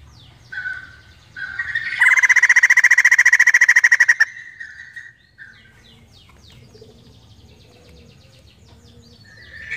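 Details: Female white-crested laughingthrush screaming: a loud, harsh, rapidly pulsed burst of about eight pulses a second held for roughly two seconds, preceded by shorter strained notes and followed by quiet background.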